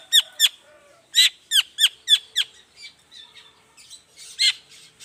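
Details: Morning lure song of a long-tailed shrike, used to make quiet shrikes reply. Sharp, downward-sweeping whistled notes come in quick pairs and runs, then fade into softer, scratchy chatter.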